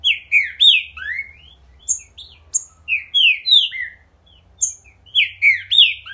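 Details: Lively, vigorous singing by a Green-winged saltator: repeated phrases of loud, sweet, downslurred and upslurred whistles, each run followed by brief high sharp notes, with short gaps between phrases.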